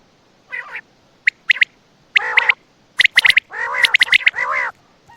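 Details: Quail heard at night in Attock, mixing drawn-out, throaty, harmonic nasal notes with short, bright, high clicks grouped closely together. No other sounds stand out.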